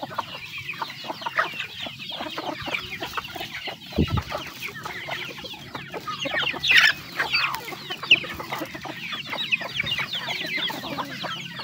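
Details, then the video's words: Chickens while eating: dense chatter of clucks and high peeps, a loud thump near the fourth second and a few shrill, louder calls standing out later. "The sound of chickens eating"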